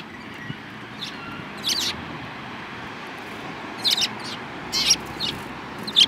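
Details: Eurasian tree sparrows, a group including one with a yellowish beak, recorded 7 March 2018; short bright chirps in scattered pairs and bursts over steady low background hum.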